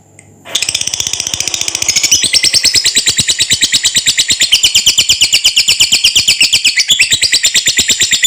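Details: Lovebird (Agapornis) giving a long, continuous ngekek chattering trill, used to train and provoke other lovebirds into singing: rapid high-pitched buzzy notes repeated about three times a second, unbroken for over seven seconds.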